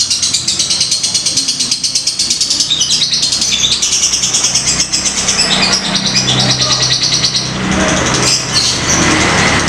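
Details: Fighter lovebird singing ngetik ngekek for a lure recording, a long unbroken stream of sharp, squeaky high chirps and rattling clicks, with a faint low hum underneath.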